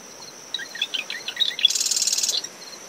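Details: Marsh wren singing at dawn from dune shrubs around its nest, brisk post-storm wind: a string of short chattering notes, then a dense buzzy rattle lasting under a second, over a steady high cricket trill and wave noise.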